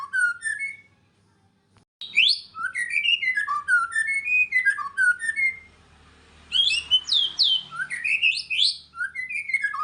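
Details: White-rumped shama singing actively: clear, rich whistled phrases that swoop up and down, given in fast varied runs. A short pause follows the first phrase, then two longer bursts of song.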